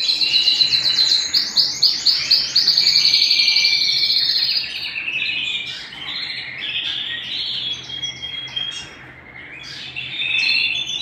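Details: Canary singing at home: a fast series of rhythmic repeated chirps for several seconds, then a varied warbling stretch of trills and whistled notes.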